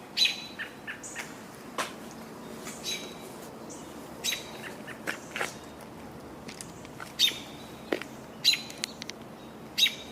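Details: American Robins calling on a June 18, 2022 tour, possibly reacting to something holding their attention; short sharp chirps and high squeaky notes scattered irregularly over faint background noise, a loud note roughly every one to two seconds.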